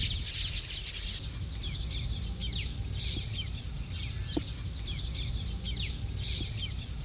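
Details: Small birds (cittu kuruvi) in the wild give short, sharp, downward-slurred chirps in loose scattered bursts over a steady insect drone and a low rumbling background.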